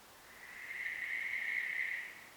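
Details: A single drawn-out, rasping screech from a Western barn owl lasts about one and a half seconds, swelling and then fading over a soft background rustle.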